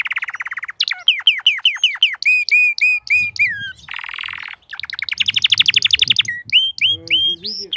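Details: Crested canary in full song: a buzzy roll, then series of repeated slurred whistles, another dense roll, and rising fast trills, varied and continuous, with a faint low rumble in the background.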